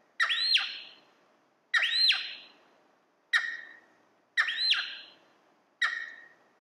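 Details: Early-morning cheer pheasant in a cold mountain valley giving five loud, harsh squawking calls about one and a half seconds apart, most with a quick upswept arched note, each ringing away in a lingering echo.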